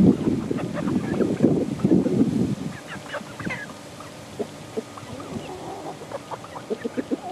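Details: Group of 11-week-old chickens in a play pen, with breeds including ISA Brown, Barred Rock, Easter Egger, Speckled Sussex and Australorp, making low rough clucks and grumbling notes, then scattered short peeps and rustling.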